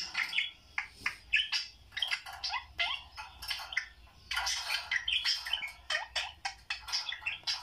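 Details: Pet budgerigars watching YouTube chatter in rapid, high chirps and squeaky warbles with hardly a pause.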